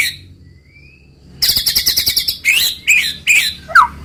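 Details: White-rumped shama (murai batu): a thin faint whistle, then a fast clicking rattle followed by four loud, ringing down-slurred whistles spaced evenly.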